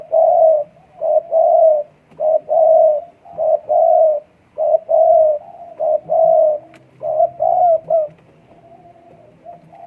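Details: Spotted dove in breeding condition calling strongly, a long run of mellow, low coos in paired short-long notes repeated steadily for about eight seconds, then a quiet pause.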